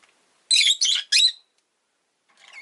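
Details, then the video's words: A pet rosy-faced lovebird lets out three rapid, loud, grating chirps in a row, followed by a faint scratchy note. "Lovebird Chirping Sounds"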